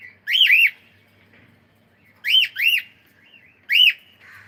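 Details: A cockatiel sings while at play, giving three bright bursts of paired, arched whistles roughly every one and a half seconds, each note swooping up and down, with a soft chirp between bursts over a quiet room.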